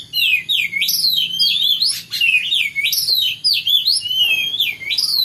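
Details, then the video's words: Oriental magpie-robin singing in the morning: a continuous, loud run of high whistled phrases with sweeping rising and falling notes and rapid twittering, repeated without pause across the whole stretch, with a faint low background hum. "kicauan burung kacer di pagi hari"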